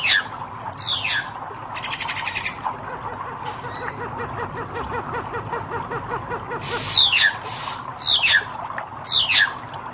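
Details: Red-eyed hair-crested drongo in song: harsh buzzy rasps and steep descending metallic sweeps, coming every second or so, over a steady fast pulsing background sound.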